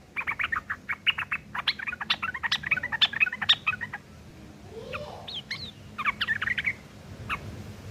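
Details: Harsh fighting song of a Yellow-vented bulbul used to lure other bulbuls into answering; fast, clipped chattering notes in a steady run, a quieter gap, then more chatter over constant background hiss.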